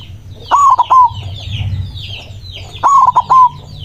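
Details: Lively white zebra dove with a strong voice calling rivals. Two rolling, stuttered coo phrases sound about 2.3 seconds apart, with chirping birds behind.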